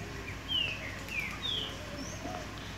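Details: A free-living green-winged saltator in a tree in a park in Minas Gerais, Brazil gives four short, clear whistled notes, mostly sliding downward, spaced about half a second apart over a steady outdoor hiss.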